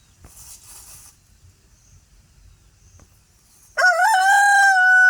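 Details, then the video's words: Free-range rooster on an off-grid homestead begins a loud crow after a quiet stretch of soft rustling: a sudden wavering onset settling into a steady, strongly harmonic held note. "offgrid homestead free range pastured rooster chicken crowing sound effect compilation"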